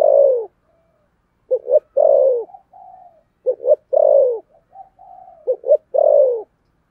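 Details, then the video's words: Spotted dove with the 'thổ sấm' voice: mellow low coos, each phrase built from a quiet murmur, a quick double hoot and a long, descending final note. The phrases come roughly every two seconds. "cu gáy giọng thổ sấm thúc gù"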